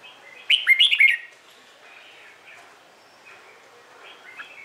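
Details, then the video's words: Red-whiskered bulbul morning fighting song for training birds: one quick, bubbling phrase of sharp rising and falling whistles near the start, then faint, quieter notes trailing off. "LUYỆN CHÀO MÀO HÓT ĐẤU/ HƠN 12 P CHÀO MÀO HÓT BUỔI SÁNG KÍCH BỔI RA GIỌNG HÓT THEO THUẦN CHIM NHANH"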